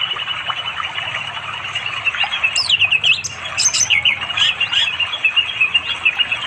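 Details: Wild orange-headed thrush by a forest river in East Java, singing in the afternoon to attract a female; bursts of quick high whistled notes and a twittering run against steady water noise.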